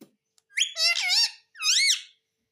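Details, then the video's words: Pet green parrot, a ringneck kept indoors, speaking in high whistled, harmonic word-like phrases: a short note, then a long wavering phrase and a second rising-falling phrase in a quiet small room. "Talking parrot || Mitthu mitthu || Tota Tota"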